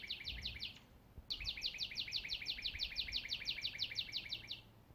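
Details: Robins chirp in a forest in Canada in early spring, in the morning: a fast, high, dry trill of quick down-slurred notes, about six a second, briefly pausing then running on over three seconds, with soft background rumble.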